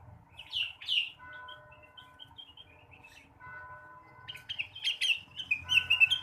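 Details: Blue-winged leafbird in morning song, meant to stimulate other birds: sharp opening chips, a long series of soft thin whistles, then a lively closing burst of loud varied chirps.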